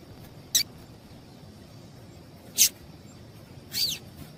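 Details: Female Double-collared seedeater calling, a sound used to excite males kept for song tournaments; three brief high-pitched notes spaced one to two seconds apart, the last longer with a downward slur, over low background hiss.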